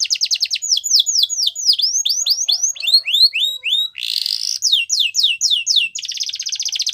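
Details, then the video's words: Yorkshire canary singing a training song for young canaries, with rapid rattling trills and repeated sliding whistles, one rising harsh buzzy note partway through, and a dense high trill at the close. "Yorkshire Canary Singing | Canary Training Song"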